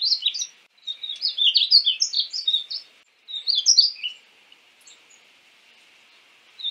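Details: Painted bunting (Passerina ciris) giving one long warbled phrase of quick high notes, then a shorter burst, followed by near silence.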